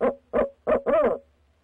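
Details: Barred owl hooting at night on 6 February 2019 from a pair using a nest box: four deep, resonant hoots, the first three short and evenly spaced, the last one longer and slightly wavering, in a quiet background.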